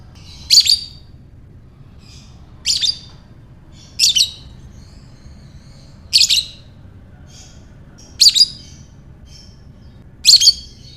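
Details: Lovebird ngekek for provoking other lovebirds: six harsh, high double-pulsed bursts at fairly even intervals of about two seconds, with faint squeaks and low hum in between.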